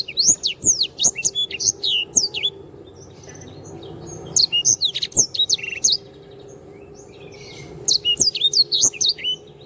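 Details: Black-throated canary (sanger) in energetic masteran song: three separate bursts of rapid, high, downslurred chirps, each about two seconds long, with quiet pauses between them and a faint background hum.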